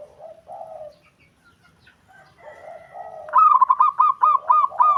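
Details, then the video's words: Local zebra dove calling so that other doves answer at once; soft low coos at first, then a loud, rapid, rolling series of trilled coo notes through the last two seconds. "Perkutut Lain Langsung Respon Dengar Perkutut Ini Bunyi"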